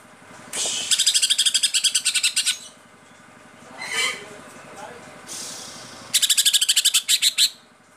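Greater green leafbird delivering two loud bursts of rapid, harsh repeated notes, each lasting about two seconds, with a softer phrase between; a low steady hum runs underneath.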